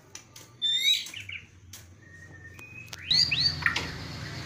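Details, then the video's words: White-rumped shama, described with a distinctive bowing display and lavish bursts of filler notes, giving sparse high whistled phrases: a short sliding note sequence early, a steady mid whistle, then quick rising and falling whistles near the end. "MURAI BATU KAPTEN JRG || IDENTIK GAYA SUJUDNYA ,TEMBAKAN ISIANYA YANG MEWAH"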